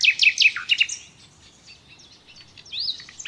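A common nightingale opens with five loud, sharp, down-slurred notes in quick succession, then shifts to softer varied whistles and a rising-falling phrase. No other sounds stand out.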